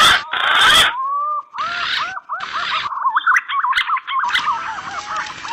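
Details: Mixed green pigeon calls made as a hunting lure: a brief rushing burst, then a string of soft looping whistled notes that grow quicker and more jumpy before giving way to hiss.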